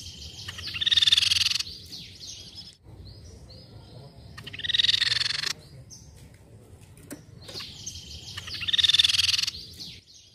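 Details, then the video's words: Crescent-chested Babbler lure call: three dense, high, chattering bursts of about a second each, roughly every four seconds, over a low background hum. "BUNYI TEPUS PIPI PERAK"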